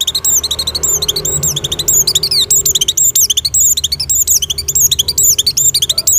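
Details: Oriental white-eye, in breeding condition, singing as a lure for other white-eyes: rapid, dense high-pitched warbling of looping whistled slurs and sharp chirps without pause, over a faint low hum.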